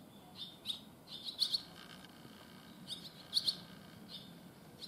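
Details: Young barn swallows, just fledged and flying far on their first day outside the nest, give sharp high chirps, often doubled, in loose bursts about a second apart against quiet background noise.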